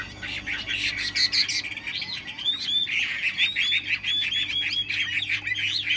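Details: Tame caged Chinese hwamei singing while its cage is carried; loud varied song of rich whistled phrases and slurred notes, rising and falling, dense and continuous, with a steady low hum beneath.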